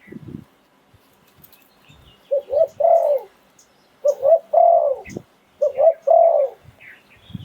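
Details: Spotted dove used as a decoy bird in Thailand, cooing in the sought-after lively 'pon liu tan' style. Three low, mellow, multi-part coo phrases, each a short note followed by a drawn-out rolling coo, come roughly every one and a half seconds.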